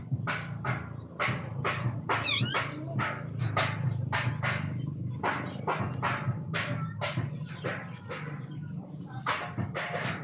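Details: Red-breasted parakeets at the start of the mating season give harsh, broadband squawks in a rapid series, roughly two per second across ten seconds, over a steady low hum.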